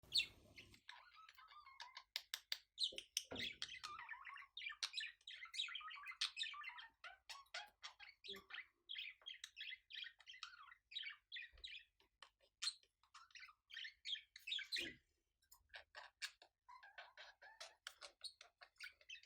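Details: Budgerigars during their mating dance and mating: fast, scratchy warble of chirps and squeaks.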